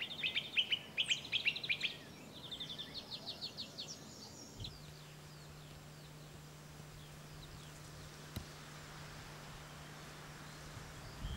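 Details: Song thrush singing in France, adult with a juvenile present; bright, high phrases of rapidly repeated notes, each motif given several times in the first four seconds, then the song stops, leaving background noise and a steady low hum.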